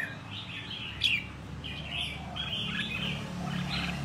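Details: Red-whiskered bulbul, a wild-caught bird after one year of keeping, ready to compete: a few short, lilting warbled phrases with one sharp high note, over a constant low droning hum.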